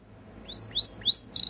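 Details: Belgian Waterslager canary giving a few short rising-then-falling whistled notes, followed by the start of a fast trill.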